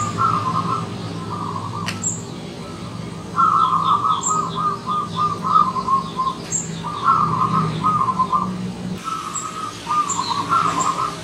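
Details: Wild zebra dove on a visit, repeating rolling, staccato trilled coo phrases in quick succession with short pauses, accompanied by high twittering of other small birds and occasional sharp clicks.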